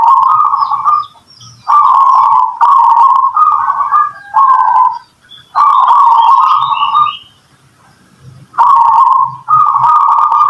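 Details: Local zebra dove cooing, used as a lure to draw replies from other doves: mellow, purring mid-pitched coos in phrases of about a second, separated by short pauses, with faint softer notes between phrases.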